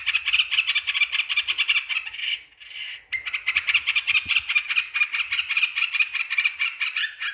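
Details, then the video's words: Yellow-vented bulbul chatter played as a lure for rival birds: dense, rapid scratchy notes, a brief pause around the middle, then steady continued chattering. "Pancingan burung trucukan yg bikin emosi lawan"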